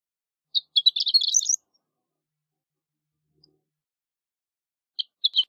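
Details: Horned lark singing a short high tinkling phrase of quick twittering notes climbing at the end, then a long silence before a few sparse chips begin again.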